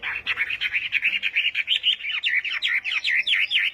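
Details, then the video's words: Morning practice song of a Chinese hwamei in fighting-song style: a fast, even run of looping whistled notes, about five per second, becoming more slurred and bouncing toward the end. "Hoạ Mi Hót Đấu /hoạ mi hót sáng luyện giọng"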